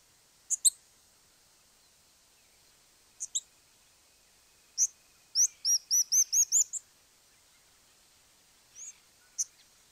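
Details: Crowned Slaty Flycatcher in Argentina: scattered high, sharp paired chips, then a rapid burst of about seven thin, high, arched notes that rise in pitch, followed by more sparse chips over faint background hiss.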